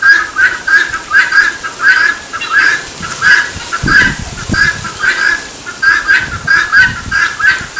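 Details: Rhythmic "tô fraco" calling of a helmeted guineafowl, a string of coarse, scratchy notes at a brisk even pace, with a brief low rumbling noise midway through the sequence.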